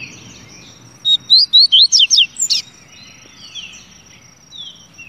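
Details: Double-collared seedeater delivers a brisk string of about eight sweet whistles, slurring up and down, closing with a harsher note. Softer whistles from other birds follow in the background.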